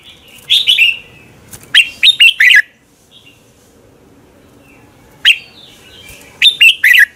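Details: Red-whiskered bulbul singing in a contest style at morning, meant to push other bulbuls to sing: several short liquid phrases of two to four slurred notes, with a long quiet gap midway.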